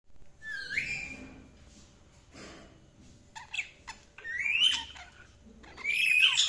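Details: Budgerigars chirping with scattered short calls, a rising whistled note early on, then bright sweeping chirps near the end separated by quiet gaps.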